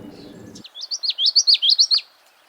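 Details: Common Yellowthroat, a West Coast warbler of wetlands, marshes and wet tangles, sings its loud, measured song of high, slurred notes in quick rolling groups, like witchety-witchety, after a brief low murmur at the start.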